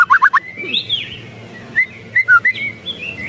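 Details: White-rumped shama giving an agitated rattling call, known locally as ketrekan: quick bursts of sharp ticking notes at the start and around two seconds, linked by clear rising and falling whistles near the upper middle of the voice.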